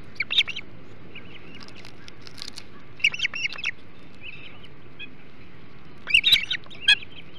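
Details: Osprey calling at a Hog Island nest during a flounder feast on the morning of 21 July 2016; scattered groups of high whistled chirps, ending with loud sharp bursts.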